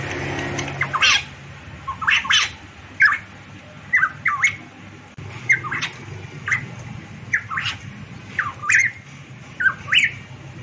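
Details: Variable pitohui from Papua, locally called cucak emas, singing prolifically: a steady series of short, harsh, squawky whistles, each bending down then up, repeated roughly once a second over about ten seconds against a low steady hum.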